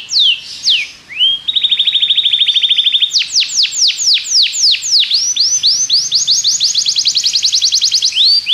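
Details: Belgian canary in full song for training other canaries: opening falling whistles, a flat buzzy trill, then loud descending swoops that quicken into a fast high rolling series.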